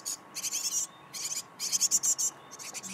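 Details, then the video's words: A parent great tit luring fledglings, afraid to leave the nest hollow, out with food: high, raspy, hissing bursts repeated in quick clusters, some short and some drawn out. "A great tit lures chicks out of the nest."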